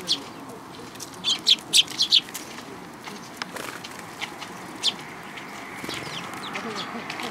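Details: Sparrows coming onto a hand for food at a Tenmangu shrine, June 2022: a fast burst of five or six bright, sharp chirps, then scattered single chirps, with wing rustling and a constant low background hum.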